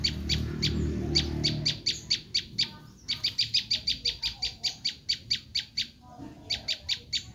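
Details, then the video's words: Screaming call of a Bar-winged prinia, used to attract wild birds of its kind: long volleys of sharp, buzzy chips repeated about twice a second, with a low rumble early on. "Suara asli prenjak lumut menjerit"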